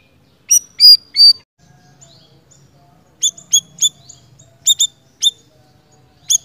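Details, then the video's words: Energetic pied triller song opening with a few loud drawn-out whistles, followed by spaced sharp high chips after a short gap, over quiet low hum. "Suara Burung Siri Siri Gacor"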